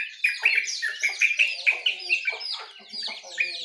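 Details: Songbirds at morning, a lively mix of short sweet whistled notes repeated at an even pace alongside busier high twittering from other birds.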